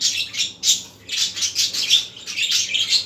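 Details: Budgerigars warble through the afternoon, a steady stream of loud, hissy, scratchy notes run close together with only one short pause.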